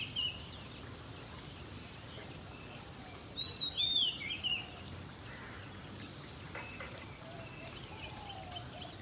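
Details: A magpie (possibly a magpie-robin) singing in the rain on a rainy morning, described as a mating call, gives a brief burst of high, squeaky chirps and whistled notes, about a second long, over a steady hiss of rain.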